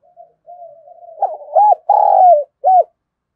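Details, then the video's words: Spotted dove kept as a decoy, cooing to draw in wild birds, in the 'giọng thổ' voice style; soft drawn-out murmur building into loud hooked notes, one long buzzy coo and a final short arched note, nothing else audible. "Chim Cu Mồi Thúc Gù + Gáy Gọi"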